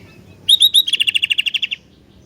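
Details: Sooty-headed bulbul in full song: three short whistled upslurs, then a fast run of about a dozen bright, evenly spaced chirps on one high pitch, lasting roughly a second before stopping.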